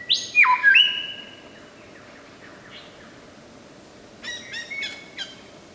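A lyrebird gives loud whistled notes that leap sharply in pitch, then after a pause a quick cluster of bright chirps, mimicking other birds.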